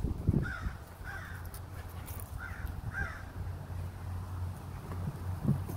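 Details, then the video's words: Unusual chittering from a crow in Minnesota: four short, hoarse mid-pitched notes in two pairs, spaced about a second apart, against constant low-frequency outdoor rumble with a couple of soft knocks. "Crow makes strange chittering noises."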